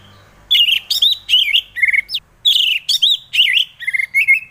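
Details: Orange-headed thrush song played as a lure for lazy or silent birds: a long, varied stream of loud, rich whistled phrases with quick twists and jumps in pitch, short pauses between bursts.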